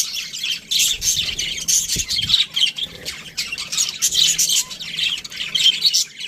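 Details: Aviary budgies squawk and chirp in scratchy overlapping bursts, a constant high chatter from the flock, with a faint low knock in the background.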